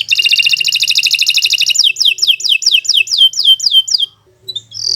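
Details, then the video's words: Canary song used as a long training recording for other birds: a fast buzzy trill, then a run of repeated downslurred whistles about three per second, ending in a short high note. "Kicau Burung Kenari 135 II LUAR BIASA GACOR PANJANG Cocok untuk Masteran"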